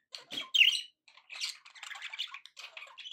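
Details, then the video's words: Pet budgerigar in a happy mood, giving gritty squawks followed by a rapid, scratchy warbling chatter with soft chirps between phrases. "happy budgie sounds"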